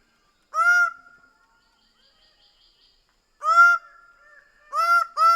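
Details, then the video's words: Greater bird-of-paradise uttering loud, harsh, honking calls: one single note, a long pause, then three more in quicker succession, each rising and falling in an arch. "Greater bird of paradise sound"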